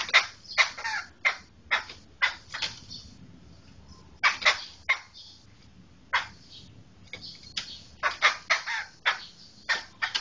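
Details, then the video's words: Rasping, loud chatter from a black laughingthrush, locally poksai hitam Medan: clustered noisy bursts, a pause around the middle, then a rapid flurry of notes toward the end. "Suara Kicau Burung Poksai Hitam Medan"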